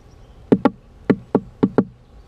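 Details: Woodpecker at a bird feeder, knocking on a GoPro camera it has discovered inside: six sharp, dry taps in close pairs over about two seconds, with quiet background between the strikes and no music.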